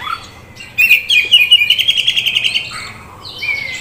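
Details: Oriental magpie-robin, a young prospect bird sold in Kisaran, gives one fast rattling trill of bright repeated notes after a quiet start, then ends on a thin drawn-out whistle.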